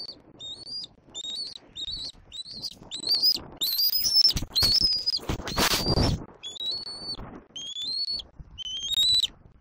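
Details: Juvenile bald eagle at a nest in Southwest Florida, April 10 2024, squeeing at its mother perched in a treetop. High, thin whistled squeals with a slight upward bend, about one a second, and a short broad rushing burst midway.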